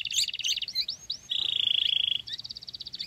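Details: A young, fast-growing sooty-headed bulbul (Pycnonotus aurigaster) chick being hand-raised on crickets begs: rapid, high, scratchy chirps, then a long buzzy trill, then more fast pulsed begging notes.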